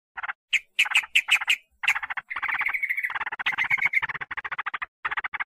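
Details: Sooty-headed bulbul call played as a lure to attract agitated wild birds: a few sharp, spaced squeaks, then a long stretch of fast, buzzy chatter with a faint whistle inside it.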